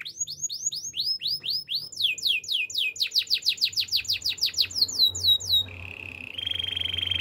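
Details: Canary song used to train canaries. Repeated high falling whistles quicken into a dense rapid series, then shift to a steady buzzing roll and a higher sustained trill.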